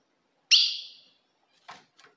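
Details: Female ultramarine grosbeak call meant to provoke a male: one strong, bright chip with a ringing tail, followed by two softer clicking notes.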